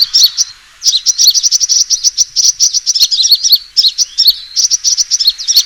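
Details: Lure recording of a sunbird's fighting call: dense runs of thin, high chirps after a brief opening pause, continuing almost without break to the end.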